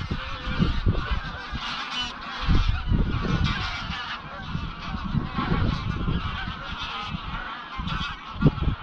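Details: Wild greylag geese, an estimated 200-300, flying at dusk toward Llyn Maelog near Llanfaelog on Anglesey; continuous, many-voiced honking of the passing flock mixed with low wind rumble.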